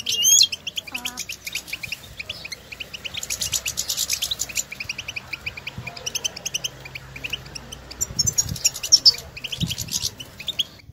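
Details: European goldfinches recorded outdoors in nature, calling to one another with stimulating calls used to prompt caged goldfinches to sing; dense high, tinkling twitters repeat throughout, with a brief lower, grating call near the start.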